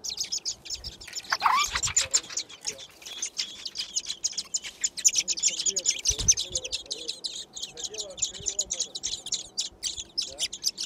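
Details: Garden nest holding six thrush chicks, recorded by a camera as they are fed. Intense high chirping throughout, many voices overlapping, with a few deeper thuds and soft lower sounds mixed in.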